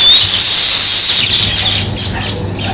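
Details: Many weaver birds at work on their nests, giving a steady wash of high, squeaky chirps and twitters that fades slightly toward the end.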